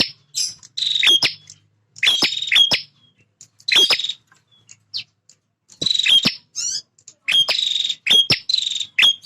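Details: Male bar-winged prinia, a bird that fights for its feeding and nesting area. It sings repeated buzzy, grating phrases with sharp click notes and brief gaps, plus some higher thin chirps.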